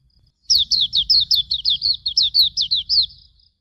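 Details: Hume's white-eye song recorded as a master for training birds: after brief silence, a steady string of about twelve high, clear downward-slurred whistled notes, nearly two per second-half, then quiet.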